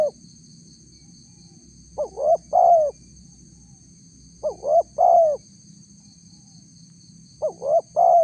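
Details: Lure recording of a spotted dove meant to provoke wild doves: three repeated phrases of two quick upslurred coos and a longer falling coo, roughly every 2.7 seconds, with low murmuring background and a faint high tone.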